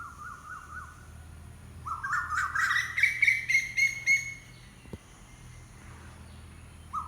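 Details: Wild bird of unknown species calling: a few soft wavering notes, then a loud rising run of quavering whistles that climbs steadily for about two seconds before fading, with a brief low note near the end.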